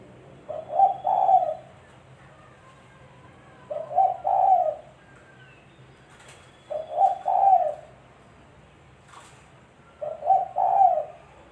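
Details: Spotted dove cooing for use as a trapping lure, four soft low phrases, each a brief lead note followed by a rolling longer coo, spaced about three seconds apart; faint chirps of other birds behind.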